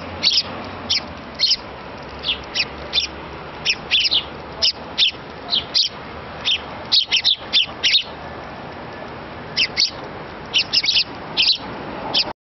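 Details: Begging sparrow chick, fed by a parent, gives a long run of insistent high chirps, single and in quick pairs, with a short pause midway, over faint background noise.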